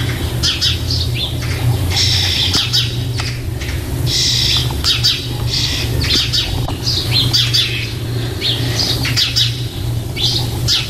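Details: Young starlings in a nest box, soon to fledge, recorded on 4 May 2014 in Germany, begging with a steady stream of harsh, raspy, overlapping squawks while a low engine-like hum drones underneath.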